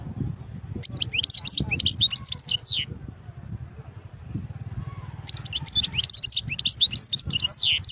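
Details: Wild European goldfinch delivering two long phrases of rapid, tinkling, twittering song with slurred high notes, separated by a brief pause, against a continuous low mechanical drone.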